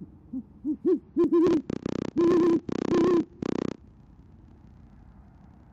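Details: Great horned owls at a nest in Oklahoma City, evening of 28 January 2014, recorded on a nest camera; the female hoots to call the male, who answers. Loud, close, deep hoots in a rapid, uneven burst, some notes harsh and overloaded.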